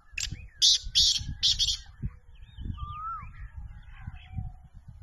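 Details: Pakistani black francolin calling: a short sharp note, then three loud, scratchy, buzzing bursts in quick succession. After the call, quieter whistled and warbling notes from other birds continue.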